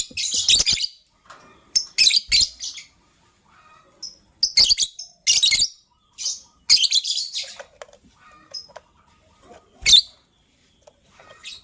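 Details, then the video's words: Pet lovebirds, one gray and ready to lay eggs, one yellow-green, calling in the morning; dense series of shrill, high chattering chirps in quick bursts, repeated about every second, with brief pauses. "Yellow Green Lovebird's melodious chirping sound"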